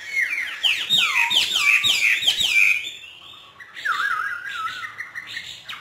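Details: Captive hwamei from northern Vietnam, trained to sing hót thả style: a rapid string of loud, bouncing whistled notes, then a quieter, warbling, undulating phrase.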